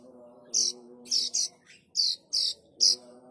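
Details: Plain prinia chick calls, sounds said to lure adult birds: six short, high, harsh squeaky bursts spaced about half a second apart, over a steady low hum.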